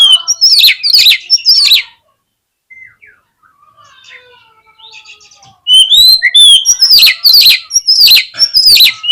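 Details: Oriental magpie-robin (kacer) song used as a lure to provoke a fighting response: loud bursts of sharp whistles and harsh chatter, a quieter stretch of soft warbling, then renewed loud rapid phrases.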